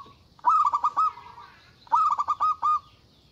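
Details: Local zebra dove giving a loud, agitated call meant to provoke rivals: two bursts, each a quick stuttering run of about five low coo notes trailing into a drawn-out tone at the same pitch.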